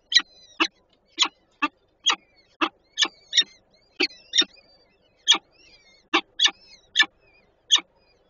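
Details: Peregrine falcons at a nest with three chicks in Warszawa Żerań, Poland, 25 April 2024; harsh, rasping broadband notes repeated roughly every half second in an uneven series, with faint thin whistles between them.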